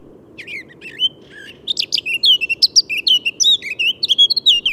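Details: Eurasian blackcap (Sylvia atricapilla) singing just after sunset in central Russia: a rich, fast warble of clear fluty and scratchy notes, rising in volume after a hesitant start, over a low steady hum.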